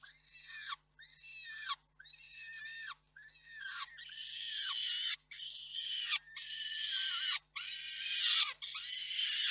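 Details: Reda nest, 4 May 2023, peregrine falcon father delivering prey while the mother feeds and calls for more: about eight grating wails, each sliding down at its end, growing steadily louder.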